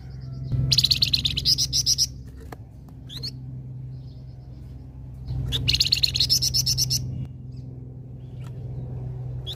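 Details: Flamboyan singing lively as a lure for gathering birds: two bouts of rapid buzzy high notes, each about 1.5 seconds with roughly a dozen pulses, separated by a short pause, with sharp chirps between and a constant low hum.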